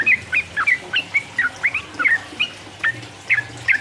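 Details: Yellow-vented bulbul in 'ropel uplik uplik' song, played to goad rival birds into singing; short sharp whistled chirps, spaced unevenly, about three per second.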